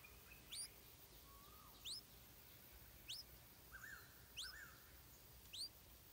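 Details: While being fed insects by its mother, a stripe-throated bulbul chick gives piercing, rising squeaks about every second, with a few lower buzzy slurs and a quiet hiss behind them.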